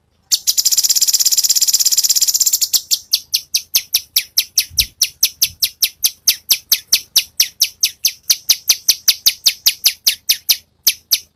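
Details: Master recording of cucak cungkok for training songbirds like murai batu and cucak ijo: a harsh, buzzy rattle lasting two seconds gives way to steady, rapid, high-pitched chips repeated roughly twice or more each second.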